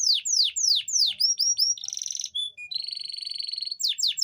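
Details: Singing canary, used to arouse hard-to-mate females: rapid steep downslurred whistles, clear flat notes, a buzzy rattling trill, then a long steady pulsed trill ending in more sweeps.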